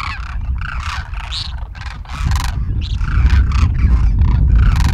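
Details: Demoiselle cranes in a large wintering flock, feeding in a field at a village in Rajasthan, India; many birds give overlapping rolling, honk-like calls in a constant chatter over a loud low-pitched background rumble.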